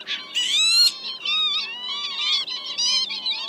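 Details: Lapwings, males and females, giving flock calls meant to lure migrating birds into nets at night during March migration. Dense run of overlapping squealing, slurred notes with strong harmonics, a louder rising wail near the start.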